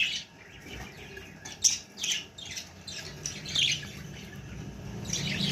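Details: Baby budgerigar giving scattered raspy squawks and short chirps at uneven intervals, set against a steady low room hum.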